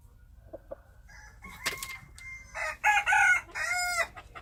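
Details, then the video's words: Wild chickens: faint clucks, then a loud crow in several bursty harmonic segments in the second half, over low background rumble. "Noob qaib qus Qaib dib qua zoo - wild chickens"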